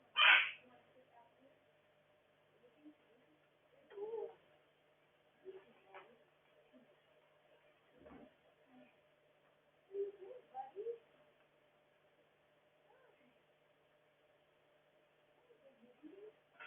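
A Quaker parrot lets out a loud, harsh squawk, then adds scattered soft chatter over a person talking.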